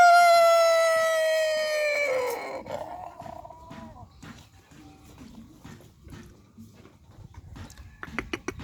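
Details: Chicken out for morning sunning to stay active, crowing. The long ringing end of a crow slides gradually downward and fades after about two seconds. Soft rustling and clicking noises follow, with a few sharp taps near the end.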